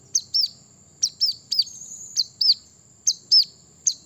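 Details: Brown-throated sunbird calling out rivals. Paired high notes, a sharp chip followed by an arched down-slurred whistle, repeat roughly every half second in a steady pattern, with a thin constant whine behind.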